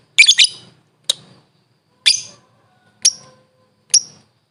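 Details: Lovebird from a training master recording for caged birds: five sharp, high, scratchy chirps spaced about a second apart, the first a doubled burst, with silence between.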